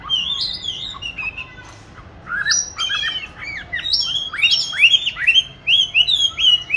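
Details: Captive oriental magpie-robin, kept since 29 July 2020 and recorded 22 March 2021, hung in a chosen spot for singing practice. Soft varied whistles at first, then a run of loud rising upswept notes.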